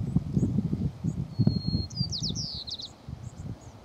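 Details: White-crowned sparrow at Dorena Genetic Resource Center, Umpqua National Forest, Oregon, USA: a thin steady whistle, then a run of quick sliding and trilled notes, over low rumbling ground noise and rustling.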